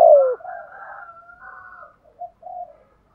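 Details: Decoy spotted dove (chim cu gáy) urging coo: one strong low coo at the start, then a long softer wavering coo and two short faint notes fading to silence.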